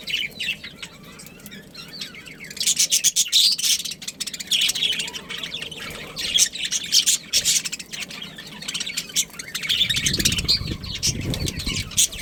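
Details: Budgies of a breeding pair chirping and chattering in dense, fast rattling notes, louder from the third second on, with a low rumbling noise near the end.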